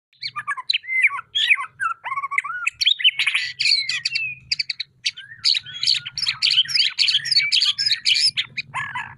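White-rumped shama singing a fast, continuous jumble of sharp chirps, twitters and slurred whistles that copy squabbling sparrows, with a faint low hum underneath.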